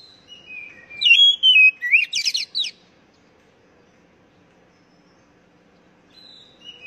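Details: Oriental magpie-robin song phrase meant to trigger singing in captive birds: soft whistles lead into loud sliding whistled notes and a short burst of buzzy chatter, followed by several seconds of near silence and a faint whistle.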